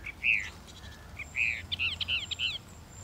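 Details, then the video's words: Northern mockingbird giving a few short, harsh, buzzy phrases followed by rapid chattering notes, in a brief burst of song. "The song of the Northern Mockingbird"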